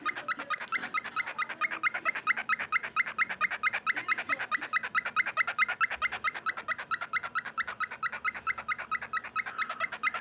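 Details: An 18-month-old male pet cockatiel in Victoria, British Columbia, Canada, on December 1, 2022, gives a fast, steady string of short, squeaky chirps; he loves to sing, talk and make weird noises.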